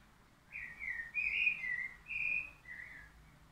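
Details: Common chaffinch, a bird of the named lineage, singing a short phrase of about six clear whistled notes, sliding and slurred, each roughly half a second long, over faint low background hum.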